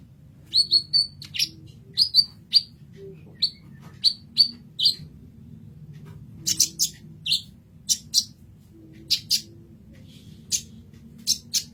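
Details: Kolibri ninja sunbird in a masteran recording: thin, high, sharp chirps delivered in pairs and small groups separated by short pauses, crisp against a near-silent background with a faint low hum.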